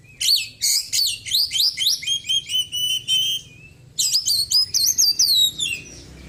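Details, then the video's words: White-breasted Oriental magpie-robin in a cage, post-moult and under daily care, pouring out loud, energetic song of imitated small-bird phrases: a dense string of quick, sweeping whistles, a brief gap, then another rapid burst. "KACER GACOR ISIAN BURUNG KECIL PEDES"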